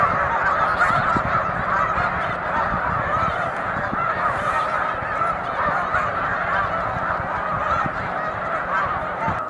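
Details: Large flock of snow geese on Cayuga Lake on a March afternoon, a dense continuous chorus of overlapping nasal honks and yelps with no pauses.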